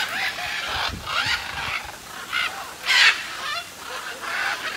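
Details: Macaws in the macaw aviary at Parque das Aves, Foz do Iguaçu, Brazil: harsh, raucous squawks in rough bursts about every half second to second, one louder grating call near the middle, several birds calling.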